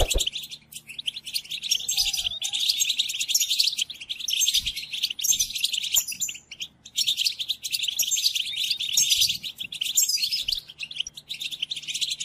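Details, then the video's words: European goldfinch song used to tutor captive goldfinches, including during moult: a dense, rapid twittering of jingling, tinkling notes in long bursts, with a brief pause near the middle and a short low murmur early on. "قدم هذه الآصوات لطائرك الحسون وشاهد ماذا يفعل Chardonneret"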